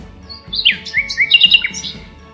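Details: A Common Nightingale sings a rich, varied phrase of clear whistles, quick slurred notes and a burst of rapid chips, with faint low background music.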